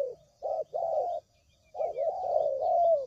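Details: Spotted dove, recorded as trapping lure sound: two short low coos, a pause, then one long drawn-out purring coo that wavers slightly upward.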